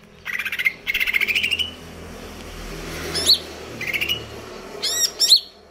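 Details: Greater green leafbird, KLO type in stable condition, singing konslet kejer nembak: a buzzy, rapidly pulsed rattle lasting over a second, then a high squeaky note and a pair of sharp falling whistles.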